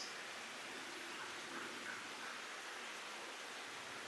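Steady broadband rushing noise like rain or a stream, with no animal voices.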